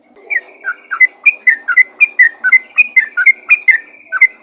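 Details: Yellow-vented bulbul in steady, lively calling aimed at other bulbuls: a continuous series of short liquid whistled notes, alternating higher and lower pitches, about three or four notes each second.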